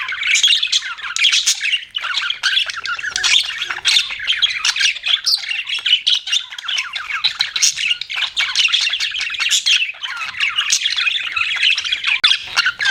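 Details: Pet budgies chirping nonstop, a thick warbling chatter of high clicks, tweets and squawks filling the whole recording.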